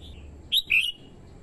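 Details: Red-whiskered bulbul singing as a lure for wild birds: a faint note, then a loud pair of whistled notes, the second longer and rich, sweeping down and trailing off.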